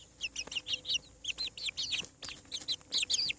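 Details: Freshly hatched farm chicks give dense, high peeps, each a quick rising-then-falling chirp, about four per second in a steady chattering stream, with a faint low hum in the background.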